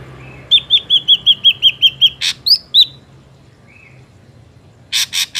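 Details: Wild Ashy drongo as a trapping lure: a fast row of about ten ringing downslurred whistles, two higher slurred notes, then harsh rasping bursts over faint low hum.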